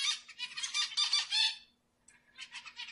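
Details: Song of a zebra finch meant to excite females for breeding: a loud stream of harsh, buzzy notes for about one and a half seconds, a short silence, then quieter buzzy notes return.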